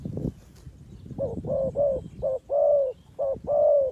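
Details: Spotted dove used as a trapping lure: after a brief noisy knock, mellow coos start in short-then-long pairs, a longer drawn croo ending each pair, repeated three times, with light low background noise.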